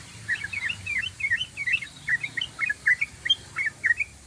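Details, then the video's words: Rapid ropelan song from a yellow-vented bulbul: a tight chain of bright, chirpy whistled notes, each a quick down-and-up slur, delivered several per second without a break. "ROPELAN BURUNG TRUCUKAN PANJANG❗❗❗TRUCUKAN GACOR❗❗❗"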